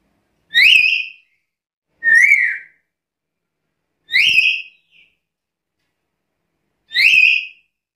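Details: Black-capped lory repeating loud rising whistles, four in eight seconds at uneven gaps, each note sweeping up and flattening, with a tiny soft note after the third.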